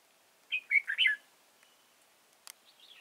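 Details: Trapping decoy red-whiskered bulbul at Chùa Hương, Vietnam, on 31 March 2018 sings a loud, bubbly four-note whistled phrase. A faint thin whistle and a sharp click follow.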